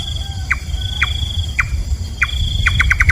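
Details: Nightjar, a night-feeding bird known locally as kaba or kabam: sharp downward-slurred notes spaced about half a second apart, then a quick run of clipped notes at the end, over a steady high whine and low background rumble.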